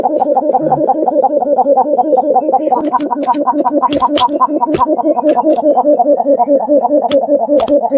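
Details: Steady, rapidly pulsing tonal music with a distorted, buzzy edge and scattered clicks, with no clear animal call.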